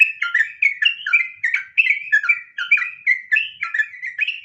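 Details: Sooty-headed bulbul (trucukan) in the ropel panjang style: lively whistled notes, some slurred upward and some dropping, delivered in a fast, jerky chain with brief gaps between bursts.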